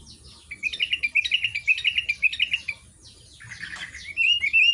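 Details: Sooty-headed bulbul (Pycnonotus aurigaster) sings bright, bubbling phrases of quick chirps and whistles, then gives a short rising, slurred whistle after a brief pause.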